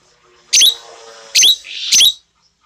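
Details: Asian glossy starling, tame and red-eyed with black plumage, known for a clear and piercing voice: three loud, harsh, shrill screeches spaced about seven tenths of a second apart, with a soft rasping hiss between them.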